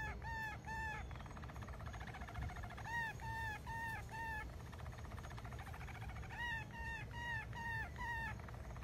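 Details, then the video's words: A Malinois canary sings low, rounded, bubbling notes in three short runs of rolling phrases, over a steady low hum. "تغريد كناري مالينوا"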